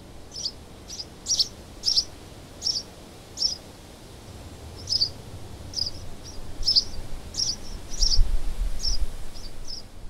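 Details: Southeast Ohio house sparrow calling with a run of sharp, high chirps, roughly sixteen over ten seconds and spaced fairly evenly, with a low rumble of background noise building toward the end.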